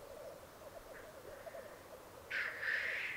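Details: Black grouse at a lek in the Piedmont Alps of Italy, 2022. A steady, low bubbling coo rolls on throughout, then a loud hissing sneeze bursts in near the end.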